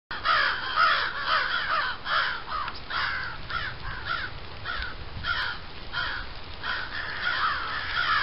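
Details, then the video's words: Several crows calling as a resident bobcat listens. Harsh, hoarse caws come in loose, overlapping runs of two to four, about two per second, over a steady rural background. "Bobcat listening to crows"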